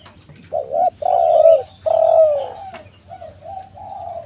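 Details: Spotted dove (tekukur) lure song: a short wavering coo, two long loud coos, then a quieter series of softer coos trailing away.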